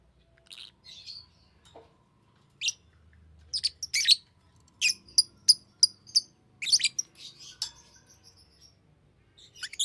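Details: A green lovebird gives scattered sharp, high chirps, single and in short clusters, separated by pauses of quiet.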